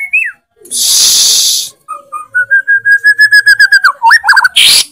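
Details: White-rumped shama in loud 'tembakan' song: an evenly spaced run of short whistled notes that ends in a few quick jumps in pitch, with loud hissing bursts before and after.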